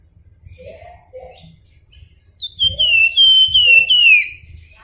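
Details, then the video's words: Flamboyan in nyuling (flute-like whistling) song: after faint chirps, a loud run of clear whistled notes, each slurring downward, repeated about four times in quick succession, with steady low hum behind. "Flamboyan Gacor Nyuling"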